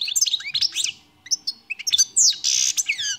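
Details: European goldfinch song: a twittering run of sliding notes, a brief gap with a few isolated chirps, then a strong buzzy, drawn-out trill followed by descending whistles.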